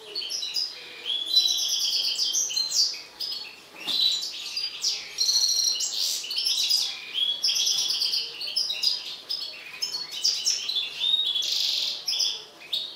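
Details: Agitated mutant European goldfinch singing a long, dense, rapid twittering song of high tinkling and buzzy notes, phrases running almost continuously with one short pause near the middle.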